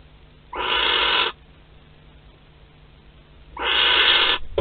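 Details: Wild barn owls at their nest in Théding on 31/03/2021, a live wood mouse being brought in: two harsh, breathy hissing screeches, each under a second long, separated by about two seconds of faint hum.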